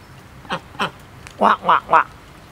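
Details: Two pet domestic ducks kept at a home give five quacks, two short nasal ones, a pause, then three louder, harsher quacks in quick succession, over quiet room background.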